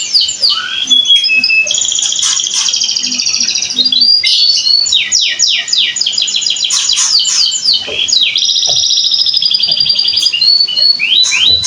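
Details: Domestic canary singing a loud, high, continuous song of rapid rolling trills, buzzy repeated notes and quick downward sweeps, run together with hardly a pause; a faint low hum lies beneath in the first few seconds.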